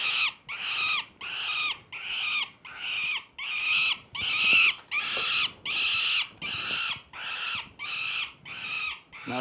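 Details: A young peregrine falcon, one of three nestlings taken from a nest on a Harrisburg state office building for checking, weighing and banding, screams harshly about sixteen times at over one per second as an alarm call warning parents and nestmates to take cover; faint human voices behind.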